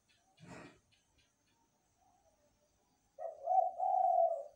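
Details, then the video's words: At night a zebra dove gives one long, low, purring coo after a brief rustling thump, with near silence between. "Derkukur gacor sepanjang malam hari"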